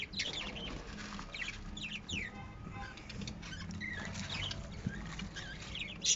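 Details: Lovebirds chirping and twittering in short, rapidly modulated notes scattered throughout, with a low steady hum underneath.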